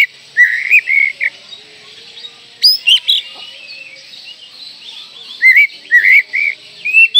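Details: Oriental magpie-robin song as a lure for young birds: clusters of rising whistles and sharp high notes, with a quieter stretch midway, over constant high hiss.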